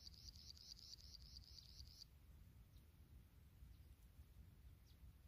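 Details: Thin, high begging notes from pipit chicks at the nest as they are fed large insects run in a quick series for about two seconds, then stop, over a steady low rumble of wind or handling.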